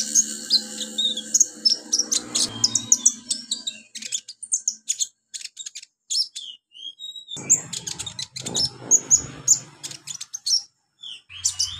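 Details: Olive-backed sunbird song meant to teach beginner birds: long bursts of high, sharp chips and twitters interspersed with thin descending whistles, occasional short pauses.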